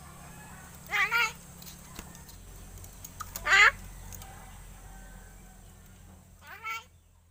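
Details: Captive myna about seven months old, hand-raised and learning to talk; three short harmonic speech-like utterances with stacked bands rising and falling, the middle one loudest, separated by quiet gaps with a low steady hum.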